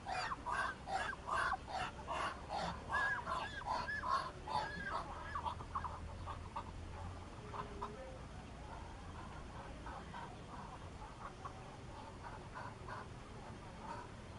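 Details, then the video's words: Muscovy duck producing a quick series of short, throaty calls for about five seconds, then falling quieter with only scattered soft notes over low rumbling background noise. "Tiếng kêu và hình ảnh con vịt xiêm | Tiếng kêu và hình ảnh con ngan"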